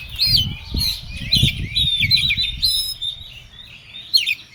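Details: Agitated Oriental magpie-robin song: quick looping whistles and twisting slurred notes in short bursts about twice a second, mixed with harsh scratchy phrases over a low rumbling background.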